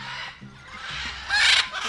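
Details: Many macaws gathered at the entrance of the National Aviary on Barú Island near Cartagena, Colombia, a spot full of very noisy birds; a loud, harsh squawking burst rises midway, with faint talking beneath.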